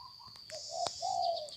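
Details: Spotted dove kept as a mountain-type decoy bird from Phetchabun, Thailand, giving short, low, hollow cooing notes, a brief pause, then a longer, level coo, with a faint high steady tone behind.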